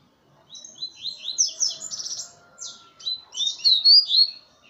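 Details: Double-collared seedeater singing from a hand: a jumbled, high twittering warble that builds to a brighter, louder sliding flourish at the end.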